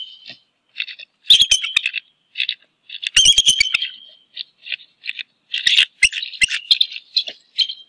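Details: Pair of wild bald eagles at their nest in DC, 11 January, as the female flies to a perch branch above the nest and the male seeks courtship. High, squeaky, staccato chittering notes in short bursts, with sharp clicks and knocks between.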